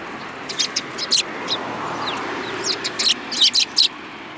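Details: Several sparrows, described as lively, give short high chirps in scattered bursts, some single and some in quick clusters, over a steady low background hiss.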